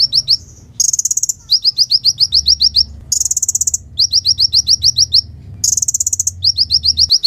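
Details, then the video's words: Sunbird singing actively, recorded as a training song for silent sunbirds and other songbirds: rapid bursts of very high, thin chirps in quick even series, broken by short buzzy high trills, repeating several times in a few seconds. "KOLIBRI GACOR UNTUK MASTERAN KOLIBRI MACET DAN BURUNG KICAUAN"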